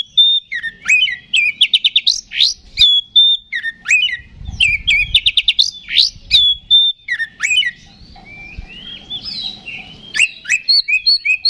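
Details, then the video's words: Oriental magpie-robin (kacer) in full, lively song, used to provoke and excite other magpie-robins into a fighting response: varied loud whistles, rapid repeated chattering notes and sweeping phrases, with short pauses and some low background rumble. "KACER GACOR NGEPLONG TARUNG !! PANCINGAN KACER PALING AMPUH BUAT MENAIKAN EMOSI KACER AUTO RESPON"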